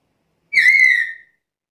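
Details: A single clear, level whistle from a chatty black-capped lory, lasting under a second and fading at the end, in otherwise silent surroundings.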